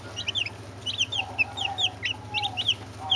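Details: Brahma chicks and two Orpington chicks producing quick, high-pitched peeps in scattered clusters, with a faint level whine and a steady low hum behind.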